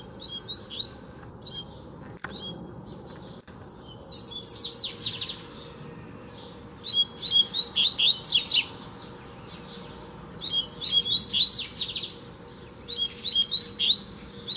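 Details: Wild double-collared seedeater approaching to challenge a caged one: repeated bursts of fast, high, buzzy-chirped phrases about every two seconds, loud and energetic, with a couple of sharp clicks and a faint steady hum beneath.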